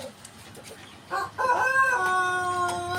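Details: White Pelung rooster crowing: a short rough opening note, then a long, steady, harmonic-rich crow held level to the end, over faint background hiss.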